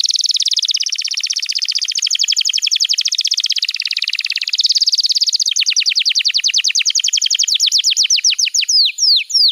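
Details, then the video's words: Canary master song for schooling young birds and prompting quiet ones to sing: a long dense buzzing roll, then a crisp rapid trill of steep descending notes that slows into a few separate sweeps. "Masteran Kenari PAUD & Pancingan Kenari MACET BUNYI"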